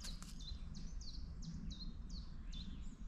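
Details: A distant common chiffchaff, among the first arrivals of spring, on a misty, frosty, clear early morning around 6:45 at sunrise on 18 March 2024, repeats high, even two-pitched notes about two per second over a steady low rumble.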